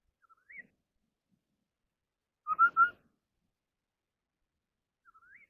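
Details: Contest singing of a Chinese hwamei, ground type: a soft rising whistle, quiet gap, then a loud pair of clear whistled notes at mid-point, and a faint upward-sliding whistle at the close.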